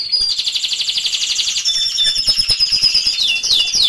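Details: Canary singing a continuous, fast, high trilled song used to coax silent canaries into singing. Rapid pulsing rolls are overlaid with thin sliding whistles near the end.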